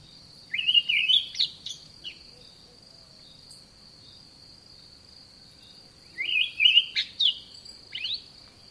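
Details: An olive thrush in a garden sings two separate warbled phrases several seconds apart, each rising into quick chirps, while a continuous high drone persists.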